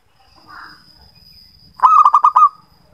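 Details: After a faint murmur, a local zebra dove delivers one burst of song, six fast, throaty coo pulses over a thin steady high tone. The song is used as a lure for doves that rarely sing.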